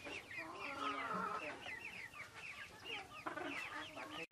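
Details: Silkie chickens on a farm give many overlapping short, chirpy clucks and peeps, several birds calling at once in a busy flock chorus.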